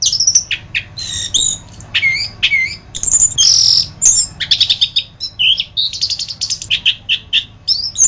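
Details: Orange-headed thrush tutor song used to train other birds: a rich, fast, continuous run of varied high whistles, sharp chirps and buzzy trills, with a low steady hum underneath.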